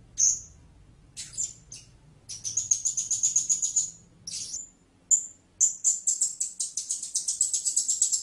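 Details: Blue-crowned hanging parrot calling in high, sharp squeaks: single notes, then rapid runs of shrill chips that speed into a dense, fast series by the close.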